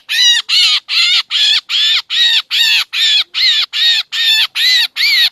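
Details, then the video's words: Lure sound of a black drongo for catching birds, Laos and northeastern Thailand: evenly spaced, nasal, grating notes, about two and a half per second, each with a slight rising-falling tone. "ສຽງຕໍ່ນົກແຊວ ນົກອ້ຽງຂາວກະເຂົ້າ || เสียงล่อนกแซงแซว เข้าฮอดนกเอี้ยง"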